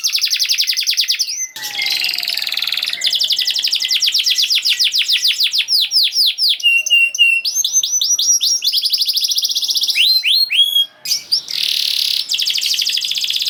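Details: Canary in full song as a lure for canaries that have stopped singing: long, dense rolling trills broken by buzzy bursts and short whistled phrases, nearly nonstop, with a brief pause near the end.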